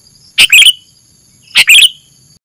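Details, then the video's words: Sooty-headed bulbul call used as a lure to trap wild birds; two loud, harsh-edged chirp clusters a second apart, each a quick run of high notes falling at the end. "Suara pikat burung kutilang gacor"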